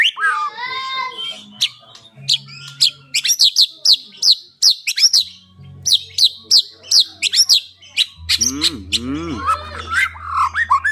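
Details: Caged white-rumped shama delivering a fast, varied song: a rising warbled opening, then rapid sharp high chips and whistles repeated in bursts, ending in looping warbled phrases over a low background hum.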